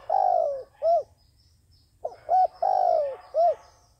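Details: Dove used as a trapping decoy, repeating its cooing phrase twice: a long, slightly falling coo followed by a short rounded note, with a brief pair of quick coos leading into the second phrase.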